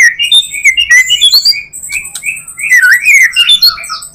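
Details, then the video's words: White-rumped shama singing varied full song as a lure for others of its species: bright whistled slurs and twisting phrases with thin high notes, delivered quickly and loudly. "Murai batu full materi,cocok buat pancingan murai batu lainnya"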